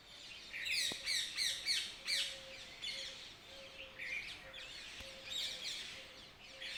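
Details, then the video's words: Early-morning chorus of birds chirping, rapid overlapping high tweets and descending chirp notes in quick succession, along with a low steady hum and two sharp clicks. "Early morning # Birds # chirping"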